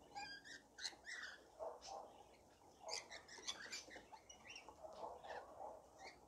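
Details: Feeding frenzy of rainbow lorikeets as people feed them, heard as dense, rasping screeches and chattering squawks from many birds, coming in quick uneven bursts with little pause.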